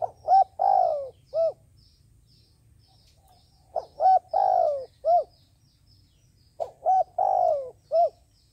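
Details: Caged decoy dove used by trappers coos three times in succession. Each phrase has two quick hoots, a long descending coo and a last short note, separated by pauses of about two seconds.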